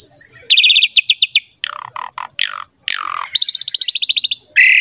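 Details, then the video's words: Asian pied starling song used to prompt young starlings to sing: a varied mix of whistled notes, rapid rattling trills, buzzy descending slurs and harsh chattering bursts, with short gaps between phrases and no other sounds. "PANCINGAN JALAK SUREN GACOR MOMPA FULL MATERI MEWAH UNTUK JALAK MUDA"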